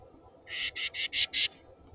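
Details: A Carolina wren singing at a bird feeder gives five quick, loud, ringing phrases in about one second, an even rolling burst, over a faint low hum.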